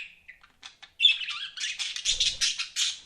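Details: Pet budgerigars chirping indoors: short high chirps building into a dense run of warbling, squawky notes, with a faint low thump partway through.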